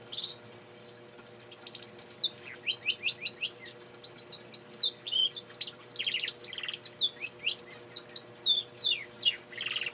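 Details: Singing male canary delivering a long, lively run of rapid whistled notes, many sweeping steeply downward, grouped into fast trills and flourishes with short pauses, over a faint steady hum.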